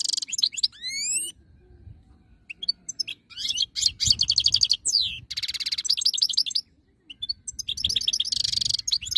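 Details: European goldfinch, described as a wild-type bird, singing a fast, high twittering song of liquid trills, buzzy chatters and rising whistled slides. The phrases come in bursts with short pauses, and there is a faint low hum beneath them.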